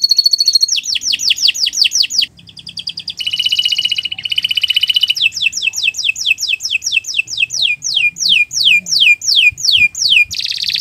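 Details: Long continuous canary song meant as a tutor for other birds, shifting between fast rattling trills, a brief dip, then strings of loud descending whistled notes repeated about three times per second.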